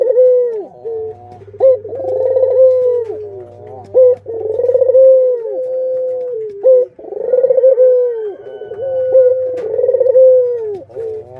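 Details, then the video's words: Kept Barbary doves, adults with their young, repeat purring coos roughly every two and a half seconds. Each begins with a vibrating roll and eases into a long, gently falling tone, over an intermittent low hum. "Suara Indukan dan Anakan Burung Puter // singingsong Dove bird"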